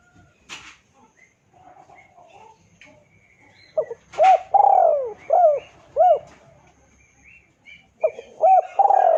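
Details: Spotted dove giving a lure call meant to draw a rival into answering: after faint chirps, a series of five or six short, hoarse, rising-then-falling coos in quick succession, ending in a longer drawn coo.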